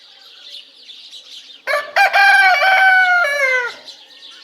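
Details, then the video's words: A domestic rooster crows once, loud and rich in harmonics. The call starts with choppy syllables and stretches into a level drawn-out note that drops at the end, with soft bird chirping in the background. "Som de galo cantando e galinha cacarejando"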